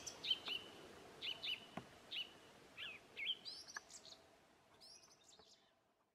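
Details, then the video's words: A thrush in New Zealand whistles its well known tune: a string of short, repeated rich notes, each phrase a double, then higher thin phrases fading toward the end. "The Song of a Thrush"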